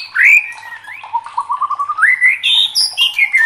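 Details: White-rumped shama (murai batu) singing with excitement: a loud rising whistle, a lower string of quick wavering notes, then slurred phrases climbing higher and falling back.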